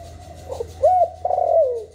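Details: Spotted dove in the 'hạp bổi' voice, used for stimulating newly caught caged doves. It gives a doubled soft lead-in, a clear arching coo, and a long quavering note that slides down in pitch.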